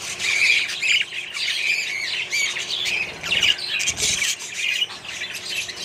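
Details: Budgerigars in a colony alongside other birds keep up busy warbling chatter, squawks and chirps layered thickly, with a few louder bursts near the middle.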